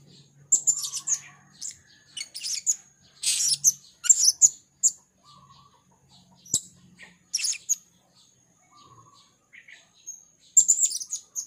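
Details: Blue-crowned hanging parrot, a red-speckled serindit described as a female in chatty gocor form, calling as a lure for trapping; sharp, very high thin chirps and short trills in bursts every second or so, with a faint low hum beneath.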